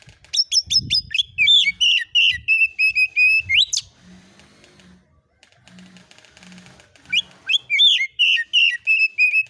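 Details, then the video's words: Oriental magpie-robin lure recording meant to provoke replies: rapid bursts of varied sharp whistles and chattering notes, then a string of steady repeated whistles ending in a rising slur, a pause, and another fast whistled burst. "KACER AUTO NYAUT EMOSI KONSLET masteran burung kacer nembak isian"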